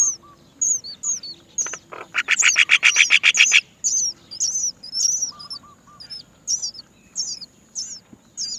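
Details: Many Great myna chicks waiting to be fed by their mother, who cannot find food, beg with thin, high, squeaky chirps repeated over two per second, and a brief burst of harsh, rasping chatter midway.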